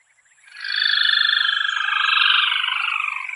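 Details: Crake of northern Venezuelan wet grassy lagoons gives a loud, fast, buzzy trill that starts abruptly and runs steadily for about three seconds, drifting slightly downward in pitch.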